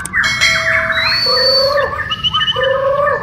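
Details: Borneo white-rumped shama during a group training session: a dense run of varied whistled phrases, with long steady high whistles, rising and falling glides, and a lower repeated note shape near the end.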